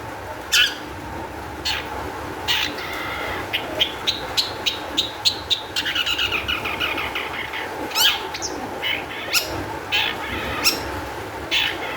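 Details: Long-tailed shrike song played to coax other shrikes into singing, scattered sharp notes at first, a denser warbled passage in the middle, then spaced harsh chirps, over a low continuous hum.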